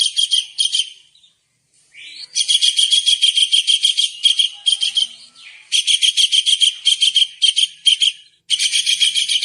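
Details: Kingfisher, called tengkek udang, in a vigorous masteran recording meant for songbirds: short harsh notes, then a rising squeal and long dense runs of rapid, rasping, buzzy notes with brief gaps.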